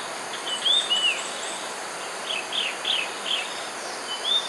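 Red-eyed Bulbul giving short, slurred whistled notes, some dropping in pitch, in scattered bursts of two or three. A steady hiss and faint high insect buzz run underneath.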